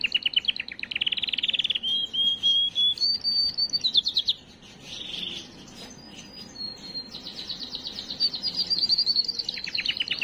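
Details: Song of a canary meant to excite females and prepare them for breeding: rapid trills, a clear whistled note and a low burry roll, a brief pause, then a high fast chattering trill that drops into a lower roll.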